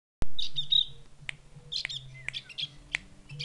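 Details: Javan grey-throated white-eye from Mount Wilis, Java, a bird being tamed; its voice is likened to a chick calling its mother. Bright high chirps and short sweeping notes come in bursts, with sharp clicks and a low steady hum behind.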